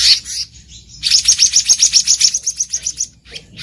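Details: Wild black-naped monarch, recorded for use as a trapping lure: a brief high note cluster, then a rapid run of about a dozen sharp, ringing high notes delivered evenly at roughly four per second, with a faint note at the end.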